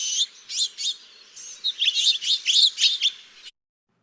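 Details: House Finch fledgling zwir calls, from a second or third brood in July and closely resembling adult call notes: a series of buzzy, rising-and-falling chirps, about ten in three and a half seconds, bunching faster toward the end.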